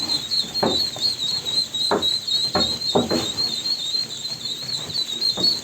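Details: Ducklings giving a steady chorus of high, thin whistled peeps that wobble quickly up and down and overlap without pause, broken by dull thumps and rustling bursts about every second.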